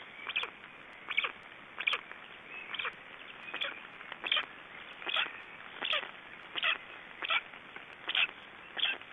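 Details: Black storks in Estonia after one has swallowed a big fish: short harsh broadband calls repeated roughly every 0.7 seconds, each a brief noisy burst, over a steady background hiss.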